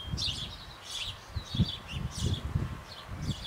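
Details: Sparrows in a Bavarian birdhouse on an old apple tree, parents feeding nestlings about to leave the nest; high chirps every half second or so over repeated low knocking and rustling.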